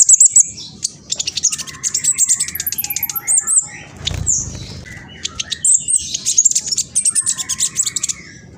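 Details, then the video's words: Juvenile black sunbird (king konin) from East Java, Indonesia, phone-recorded; the lure song is meant to agitate other birds into singing. Rapid, shrill, high twittering bursts and buzzy ticks come in quick runs, with a brief low thump midway. "PANCINGAN KING KONIN TROTOL AMPUH BUAT KING KONIN LAIN CEPAT BUNYI"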